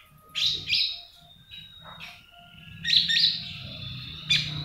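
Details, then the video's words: Common iora in trotolan style, sung to stimulate other birds: quick sharp high chirps and short whistles in rapid, uneven clusters, separated by a drawn-out thin whistle, over a faint low hum. "Pancingan Konin Trotolan"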